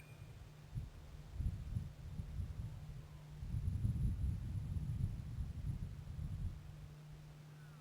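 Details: Quiet low rumbling with a steady electrical hum and soft thumps, with no animal voices.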